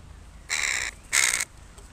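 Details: Crows playing on a person's body: two harsh, raspy caws about half a second apart, each lasting roughly 0.4 seconds, loud and close.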